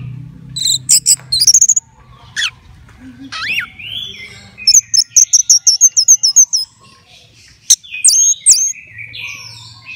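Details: Contest-ready caged orange-headed thrush delivers a lively mix of high sharp chips, a looping whistle, and a long fast series of repeated high notes. Then come scattered short buzzy phrases, with a soft low hum at the start and end.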